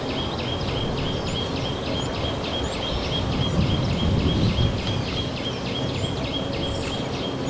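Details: Small minivet at Narsapur Forest Range, India, giving a rapid, regular run of high thin notes, roughly three per second, over a constant low rumble of background noise.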